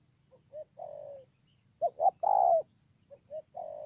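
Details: Spotted dove at Bờ Y, Kon Tum, Vietnam, 28 November 2017. A softer phrase of short coos and a long coo is followed by a louder, clearer phrase of two quick coos and a long falling note, then a third phrase begins.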